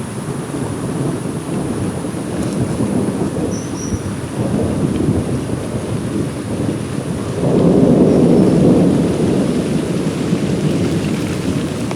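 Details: Heavy rumbling thunder and steady rain fill the recording, swelling louder after several seconds, with no animal voice standing out.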